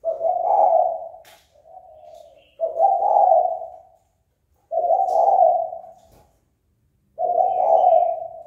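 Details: Spotted dove call meant to provoke a rival to fight: four hoarse, humming coos, the first followed by a softer short coo, repeated about every two and a half seconds, with faint chirps of other birds.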